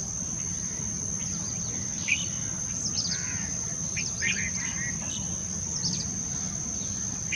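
A red-vented bulbul gives short, bubbly chirping notes at irregular intervals over a steady, high insect whine and low background rumble.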